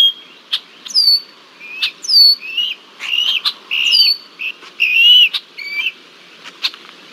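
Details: Red-winged blackbird harassing a bald eagle in Decorah, Iowa, July 2023: rapid series of high falling whistles mixed with lower warbled notes and sharp clicks, busy and overlapping.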